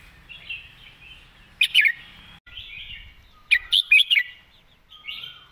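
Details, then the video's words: Red-whiskered bulbul singing in its clear 'doen phleng mae bot' master-song style: soft warbled phrases, then a loud burst of sharp, bubbly whistled notes, with a second bright four-note flourish later and a faint lower whistle behind. "วางสำนวนชัดๆ"เดินเพลงแม่บท ชัดถ้อยชัดคำ"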